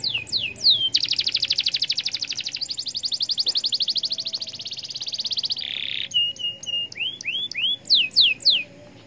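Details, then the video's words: Canary in full song, meant to stir other canaries to sing: a few sharp downsweeps, a long rapid rolling trill of several seconds, a brief buzz, then separate whistled upslurred and downslurred notes. "Kenari MANA saja BAKAL LANGSUNG Respon,,!! Dengan Pancingan Kenari Gacor Cuit Cuit EMOSI IN"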